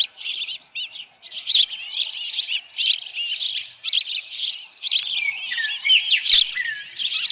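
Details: Nest-camera recording of an osprey at the Dunrovin Ranch nest, 10 June 2018 around 6:41 PM, a headless fish on the nest. Shrill, quavering chirps come in quick clusters, with a few downslurred whistles near the end.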